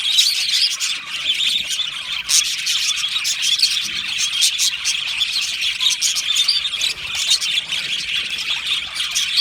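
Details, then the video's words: Australian budgerigars in an aviary colony, happy singing and chirping: a dense, unbroken high-pitched warbling chatter from many birds, scattered with sharp clicky ticks and brief squeaks, steady in loudness throughout. "Australian Budgie singing and chirping sounds"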